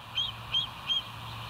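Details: Bald eagles at the West End nest, live nest camera, August 20 2023 in the afternoon; three high, thin squeaky notes evenly spaced about a third of a second apart, over a steady low hum.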